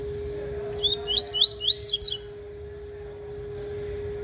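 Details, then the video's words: Double-collared seedeater singing the tui-tui song style while practising: a quick run of four slurred whistled notes, then higher sharp chips at the end. A steady low electrical hum runs underneath. "COLEIRO TUI TUI (FUGITIVO) AFIANDO"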